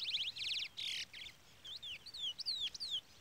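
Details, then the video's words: Brown-plumaged (pardo) Chestnut-bellied Seed Finch singing in the Trola style: rapid buzzy trilled bursts, then clear slurred whistles sweeping up and down, with a chick peeping throughout. "Curió Pardo cantoria Trola / Curió Pardo Trolinha"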